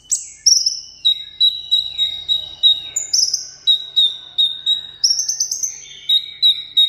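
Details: Seven-coloured sunbird in a cage, singing solo in competition style: a rapid run of thin, high whistled notes, many held briefly and falling, with quick clicks in between.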